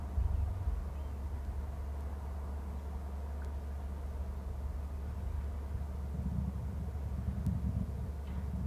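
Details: A steady low rumble like distant traffic or machinery, with faint hiss and no clear animal call.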